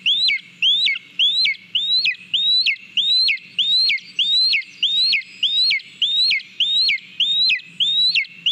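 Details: Lesser spotted eagle feeding on a mole at its nest in Latvia, live nest camera, 18 July 2022; evenly spaced, piercing rising whistles with a brief downward tail, roughly fourteen notes in a regular, persistent rhythm.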